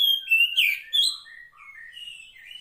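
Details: Female Oriental magpie-robin in the wild calling the male: a run of clear whistles and slurred notes that fall away into softer, lower warbling phrases.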